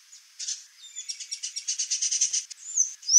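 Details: A pair of swallow tanagers (Tersina viridis) calling: a fast series of high, buzzy chips repeated about ten times a second, with a few thin whistled notes before and after.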